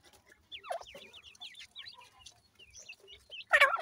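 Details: Grey francolin chicks, known locally as Pakistani teetar, exploring their natural habitat; a quick series of thin, high, upward-flicking peeps runs through, ending in a louder, harsher squeal near the close.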